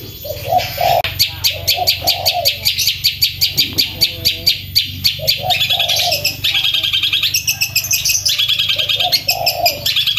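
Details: Long-tailed shrike on a loud, fast training recording for cage birds, in rolling song: sharp, high chattering notes repeated several times a second, mixed with lower warbled phrases over a steady low hum.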